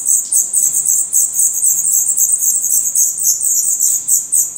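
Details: Begging black redstart nestlings, eyes open and growing definitive plumage, in a nest in Portugal: a dense, shrill, almost insect-like chorus of very high wheezing notes, fast and continuous.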